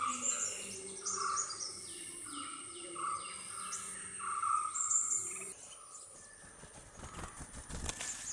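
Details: Red-whiskered bulbul mother feeding two chicks at their nest at regular intervals. Varied short whistled notes mixed with quick downward-slurred chirps form a busy chatter for about five seconds, then give way to rustling and crackling.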